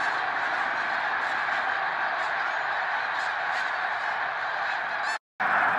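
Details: Massed snow geese calling at Middle Creek, 2022: countless overlapping nasal honks blend into a continuous roar, broken by a brief dropout near the end.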